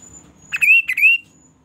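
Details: Quail, locally called kaso-kaso, giving a call meant to draw other kaso-kaso to answer within minutes: two loud, harsh, slurred whistled notes, the second rising then levelling, over a faint steady high tone and low background rumble.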